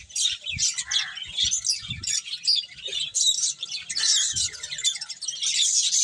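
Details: Busy finches eat and chirp, short high tweets tumbling over one another in irregular bursts, with soft low taps from feeding beneath the chatter.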